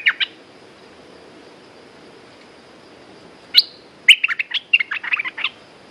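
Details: Red-whiskered bulbul in a cage: a few isolated chirps, then a rapid warbling phrase of bright, jumbled notes lasting over a second.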